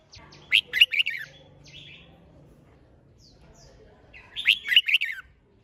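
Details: Red-whiskered bulbul in contest-style song, giving two loud, jaunty phrases of rapid liquid chirps about four seconds apart. Quieter twittering and buzzy notes sound between them, over a low hum.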